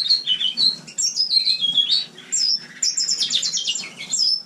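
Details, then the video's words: Winter song of a captive house finch in a common indoor room: lively jumbled warbling of chirps, downslurred whistles and a buzzy rattling phrase near the end, steady low hum in the background. "Пение мексиканской чечевицы"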